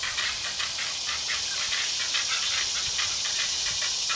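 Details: Two great egret fledglings, just fed by a parent, one sibling harassing the other in a fight; rapid ticking calls repeat about twice a second over a loud, steady hiss.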